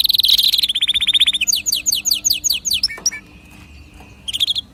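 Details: Canary singing to stimulate other birds to sing, with a fast dense trill leading into rapidly repeated sharp notes, a short pause with a thin whistle, then a brief trill.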